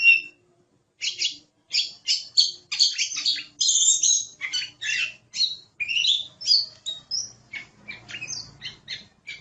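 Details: Oriental magpie-robin singing vigorously in rapid bursts of clipped whistles and buzzy chirps after a brief silence, then softer, spaced notes with a faint low hum behind. Meant to tutor songbirds.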